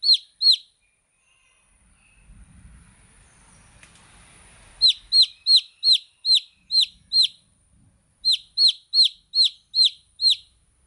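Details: Chicks giving loud, piercing peeps, two at the start, then a low rumbling lull before a rapid series of evenly spaced, downslurred chirps, a short pause, and another run.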